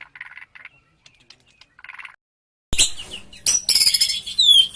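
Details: White-rumped shama, a 'super' bird prized by hobbyists for its aggressive, agile style: faint soft chirps, a pause, then loud, varied whistles and sweeping slurred notes.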